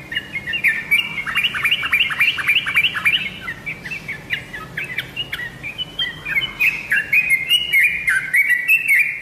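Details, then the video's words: A yellow-vented bulbul (trucukan), used as a lure call to prompt other bulbuls to answer, gives a bright, bubbly chatter of quick up-and-down whistled notes, several a second, over faint background hiss. "BURUNG TRUCUKAN ANDA PASTI LANGSUNG NYAUT DENGAN SUARA PANCINGAN INI"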